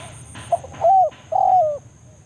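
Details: Spotted dove of the banggo type in a forest, giving a lure call that draws rival doves to a trapping ground: a short soft note, then two low drawn-out coos, over a quiet background with a faint high hum.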